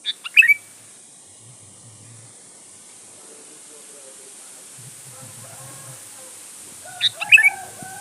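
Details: Sooty-headed bulbul singing continuously as a lure recording to draw rival birds. A bright whistled phrase opens, then about seven seconds later another, under a steady hiss with faint low murmurs.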